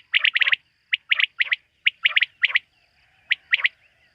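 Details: Quail calling at night: bursts of two to four sharp, clipped notes in quick succession, with short pauses between groups, in an otherwise quiet setting.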